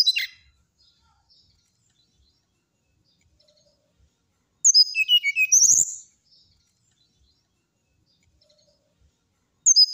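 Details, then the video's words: Brown-chested jungle flycatcher giving a single burst of high, rapid twittering whistles midway through, with short fragments at the start and end and silence between. "SATU SATU NYA SRDC NYULING BIKIN EMOSI SRDC TETANGGA,SIKATAN RIMBA DADA COKLAT"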